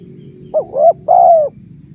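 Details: Single spotted dove phrase used as a lure for wild doves: a short upswept note, a rising coo, then a longer level coo that falls off at the end, over a faint steady hum.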